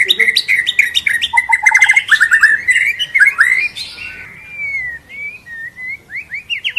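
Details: White-rumped shama singing a lure recording meant to push birds into varied fill-in phrases: dense tumbling trills and slurred notes, easing into softer rising whistles.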